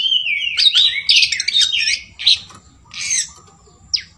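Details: Long-tailed shrike mimicking sooty-headed bulbul, pouring out varied whistled and slurred phrases mixed with scratchy notes, then spaced shorter bursts and a final sharp downward note.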